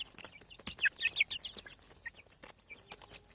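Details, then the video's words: Chicks hatching from eggs on a farm: quiet, short high-pitched peeps at irregular intervals, scattered among sharp clicking and tapping noises and a faint background hiss. "Chick sounds"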